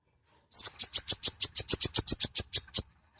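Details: A konin (kolibri ninja), a very small nectar-eating sunbird, delivers a fast, steady train of about sixteen sharp, high ticking notes after an opening upward chirp, lasting over two seconds.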